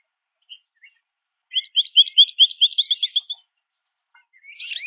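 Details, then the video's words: A small group of American Goldfinches feeding on sunflower seeds at a backyard feeder; one gives a quick run of about a dozen bright twittering chirps over two seconds, then a lone rising note, with a few soft chips before. "Goldfinches Chirping"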